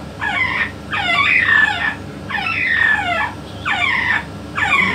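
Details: Yellow-naped amazon parrot speaking in the company of a parrot expert: four or five bright, harmonic, voice-like phrases about a second apart, each sweeping up and down in pitch, over quiet steady hum.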